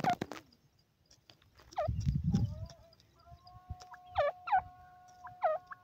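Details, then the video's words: A francolin, called Irani or Dakhni teetar, gives loud, harsh notes that sweep down and hook, in uneven bursts of two or three, over a low rumble and a faint steady whine. "irani teetar ki boli,tetar awaaz,dakhni teetar voice"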